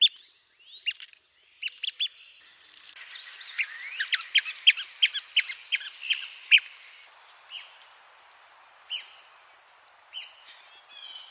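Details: Red-cockaded woodpecker giving a run of sharp, high-pitched squeaky calls that speed up into a rapid chattering burst mid-way, then slow to a few spaced notes, with a soft hiss between calls.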